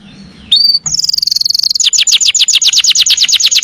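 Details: Canary song: after a brief high note, a fast trill of rapid repeated high notes, shifting into quick descending sweeps repeated about five times a second.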